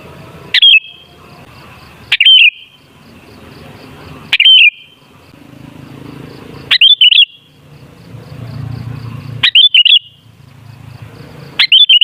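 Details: Sooty-headed bulbul song used as a lure for other bulbuls: six loud, liquid whistled phrases spaced roughly two seconds apart, some doubled, each ending in a ringing tail, with low background rumble.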